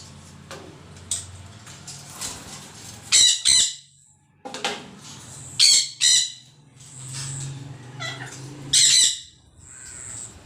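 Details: Green parrot kept as a pet, letting out a series of rasping, high-pitched squawks in short bursts, some paired closely, separated by brief quiet gaps and faint chirps.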